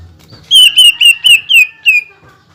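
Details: Greater green leafbird singing to rouse other leafbirds: six clear, ringing whistled notes in rapid succession, each slurring slightly downward. The last note trails off lower, with a faint hum underneath.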